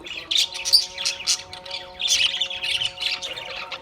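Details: Australian parrot chirping in harsh, squawky bursts over steady humming tones in the background.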